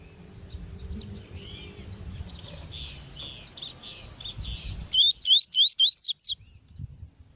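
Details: Double-collared seedeater (coleiro tui tui) in a recording with a female, used to train a male: after noisy background chirping, a loud burst of about seven quick rising whistled upslurs, evenly spaced, ending abruptly.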